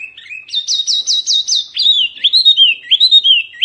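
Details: Oriental white-eye singing in a recording for tutoring birds: a few soft notes, then a quick run of bright high slurred chirps. Looping, wavering whistles close the phrase.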